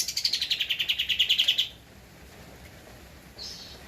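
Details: A Javan white-eye (kapas tembak), recorded as a master for training cage birds, sings energetically: about fifteen quick high notes descending slightly into an even trill, then quiet with one faint distant note.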